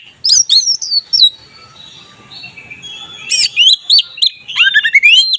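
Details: Oriental magpie-robin (kacer) singing in the loud, open ngeplong style, used to raise mating drive: bright whistled notes, sweeping up and down, in two bursts separated by a quiet pause of about two seconds.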